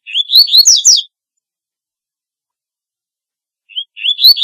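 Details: Double-collared seedeater calling song: the end of one phrase of fast, loud descending notes, a long pause, then the start of another phrase of rising whistles cut off.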